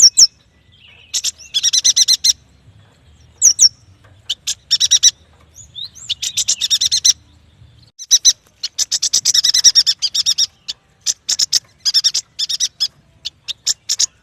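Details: Yuhina, or prenjak batu, in continuous lively song for bird training and luring: long rapid strings of high, sharp chirps, repeated again and again with brief pauses, building into near-nonstop twittering toward the end.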